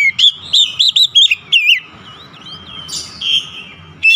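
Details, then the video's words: Excited oriental magpie-robin: six or seven quick, bright whistled notes in rapid succession, then a softer rambling warble and a wavering whistle, with a final loud note; low background hum. "SEKALI PUTAR AUTO KACER ANDA LANGSUNG EMOSI TINGGI BONGKAR ISIAN"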